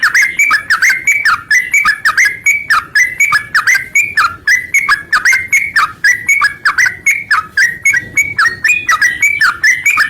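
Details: Yellow-vented bulbul song used as a lure to get other bulbuls singing; loud, bubbly whistled phrases rising and falling, repeated rapidly and steadily without pause.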